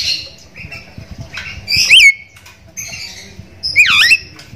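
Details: Javan myna calls used as a lure to make other mynas call, given as loud harsh squawks and a rising whistled note, in bursts about two seconds apart.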